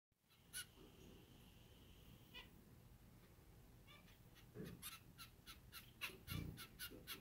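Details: Four zebra finch chicks, the oldest about a week old, fed hard by their parents, give quick raspy hissing begging calls in short rapid bursts that grow busier toward the end, with soft thumps and rustling.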